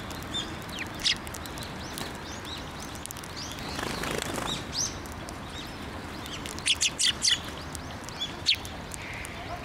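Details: Sparrows flocking in to be fed at a Tenmangu shrine, December 15, 2023: a loud flurry of flapping wings, then scattered high twittering chirps clustered near the end.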